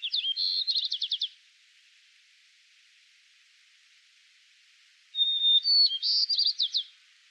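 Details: White-crowned Sparrow male in Yellowstone National Park giving one of his two song types. The tail of a trilled song is followed by a pause, then a full song: a steady whistle, a buzzy middle and a fast descending trill.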